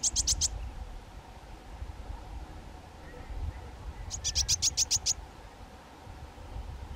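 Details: High, sharp, rapidly repeated piping calls from a pair of young White-tailed Eagles, a burst of four notes, then a longer run of about eight evenly spaced notes after a quiet gap.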